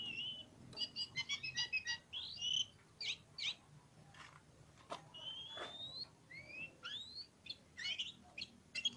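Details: Quieter passage of ngobra song from a pociku oriental magpie-robin: quick trilled chips, then spaced rising whistles and clicks over a faint background hiss.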